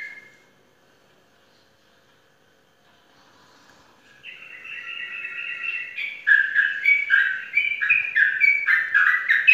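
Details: Caged Sooty-headed bulbul, a champion contest bird in Indonesia, quiet at first and then building from a soft warble into loud, rapid, bubbling phrases of rich slurred notes that repeat steadily to the end.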